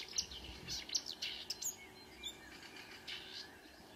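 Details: Marsh warbler singing before dawn's end, 5 a.m., 2 June 2009, Kråkstad near Ski, Norway; sharp high clicks and chirps alternate with buzzy warbled notes in an irregular, mimicking-style medley.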